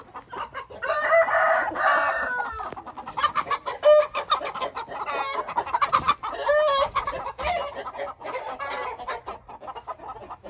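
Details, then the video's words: Hint rooster crowing among other fowl: a loud harsh harmonic crow around the second second, then overlapping clucks, cackles and shorter crows from several birds through the rest of the recording. "Hint Horozu"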